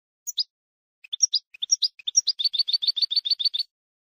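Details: Goldfinch song recorded to tutor young birds: scattered single high tweets at first, building into a rapid, slightly buzzy twittering series that runs for over a second before ending.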